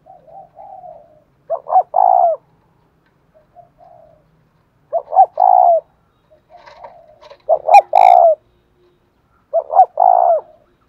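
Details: Spotted dove giving its 'giọng thổ' style coo: four mellow phrases spaced roughly three seconds apart, short clipped notes leading into a longer rolling coo, with soft low murmurs in the gaps.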